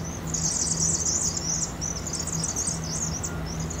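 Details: Migrating Vaux's swifts, between 7,000 and 7,500 entering a University of Oregon chimney roost in Eugene in fall, at 2.5x speed: loud massed high-pitched chatter fading into scattered chips, low hum throughout.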